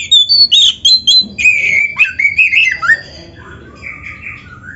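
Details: Oriental magpie-robin (kacer) performing a busy 'gacor' training song rich in 'isian' fill phrases: quick loud whistled notes and chattery slurs, shifting into a rolling warble, then trailing off into softer, lower sweeping notes.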